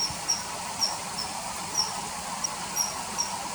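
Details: Common kingfisher calls added to riverside footage of a kingfisher hunting small fish, filmed in early September 2020: thin, high, short whistled notes repeated at irregular intervals about every half second, over a steady hiss.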